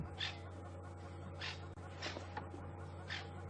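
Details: At sunset in April 2015 on a safari drive in long grass, francolins give harsh, raspy, grating alarm bursts about every half to one second over a steady low engine hum; squirrels nearby are not alarming, so the cause is probably a snake or slender mongoose.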